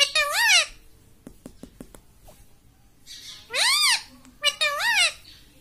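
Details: A pet parrot repeats "mummy" three times, each a strong arched, nasal syllable. Sharp tapping clicks fill a quiet stretch between the first and the later calls.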